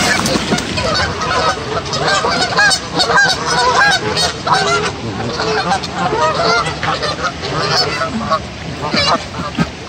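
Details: Hostile male goose confronting other geese: a rapid series of nasal honks, each short and rising then falling, repeated densely across the clip with some background noise.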